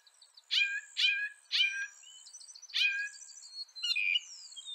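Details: A North American northern mockingbird sings harsh, downward-sweeping notes in a series about half a second apart, followed by a thin, squeaky high note.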